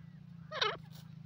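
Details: Single harsh, wavering note from a grey francolin (gora teetar), briefly rising and dipping, with a constant low hum underneath.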